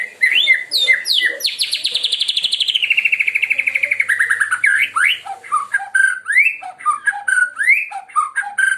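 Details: Loud, melodious White-rumped shama of the Medan type: opens with varied whistles, then a long rapid trill that slowly descends over about three seconds, followed by a series of rising and falling fluty whistled notes.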